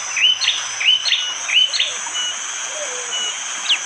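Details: Bar-winged prinia in forest in the morning at Wonocoyo Village, Panggul, East Java, Indonesia, recorded on an Android phone during rain: sharp, high chirped notes repeated about every third of a second, with a steady high hiss from rain behind.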